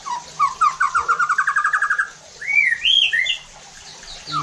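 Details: White-rumped shama lure song, meant to provoke other shamas into harsh, emotional singing and full repertoire: a fast rattling trill of repeated notes, then rising slurred whistles and a short higher phrase.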